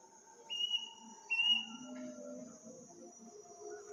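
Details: Strange, eerie bird call heard at midnight in a village on the night of Takbiran: two level whistled notes about a second apart, above a constant shrill insect-like drone and soft low background rumbling.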